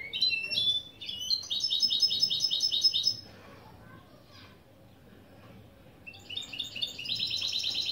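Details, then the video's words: Mule hybrid of goldfinch and canary performing intro song phrases, lesson style: a fast, evenly pulsed high trill for about two seconds, a quiet gap, then another rapid rolling trill. "Saka Melezi Ön Çıkışlar"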